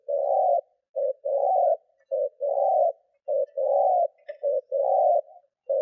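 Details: Spotted dove decoy cooing to lure wild doves: low, hollow coos in blocks of about half a second, some single and some in quick pairs, steady and unbroken, over a clean, silent background.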